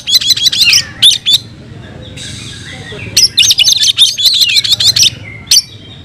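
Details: Kacer, the oriental magpie-robin, singing hard in fighting style: two dense volleys of fast, high, jerky notes separated by a quieter gap with a faint hiss, ending with a single sharp chirp.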